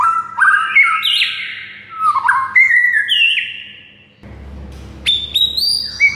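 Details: White-rumped shama song for a silent shama to learn: rapid looping whistles and falling slurs, a brief quiet stretch with low rumble, then bright high whistles resume.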